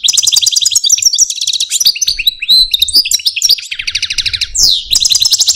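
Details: Pet Algerian Parva goldfinch, a caged male, sings a loud, rapid song of high tinkling trills, chattering notes and sliding whistles, with a long rising-and-falling whistled note near the end.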